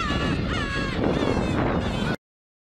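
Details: Black-tailed gulls on Kabushima island, winter, New Year's Day 2015; a couple of seconds of mewing flock calls under wind rumble before the sound cuts off.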